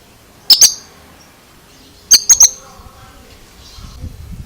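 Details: Oriental magpie-robin making odd, strange notes: two bursts of sharp, high-pitched clicks, first a pair then a quick triplet, with faint rustling near the end.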